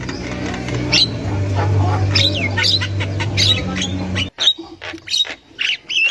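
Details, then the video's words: Female Javan myna chattering in the wild, used to lure young birds: harsh squawks and short whistles under a loud low hum that stops after four seconds, leaving clearer, sharper chatter notes. "Burung Jalak Kebo Super Gacor Untuk Pancingan Jalak Kebo Muda"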